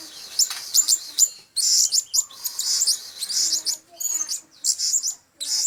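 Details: Blue-crowned hanging parrot calls used as a lure to attract birds; very high, thin, squeaky chirps delivered in quick clustered bursts separated by brief pauses, clean with little background.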